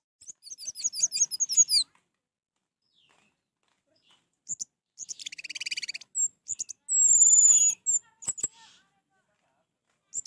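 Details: Orange-headed thrush song meant to stimulate a non-singing bird: a rapid high chattering trill, a buzzy rattling burst, then one long sustained high whistle and a few sharp notes.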